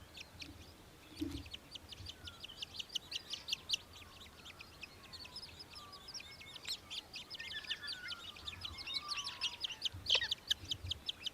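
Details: Australian hobby in Victoria, Australia, December 2023, giving a rapid, high, sharp chittering series of notes, with faint descending whistles from other birds behind.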